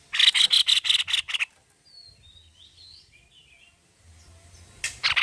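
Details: White-necked babbler in full voice, giving a fast series of harsh, buzzy pulses about five per second, then a pause filled with faint thin whistles before the rasping chatter starts again.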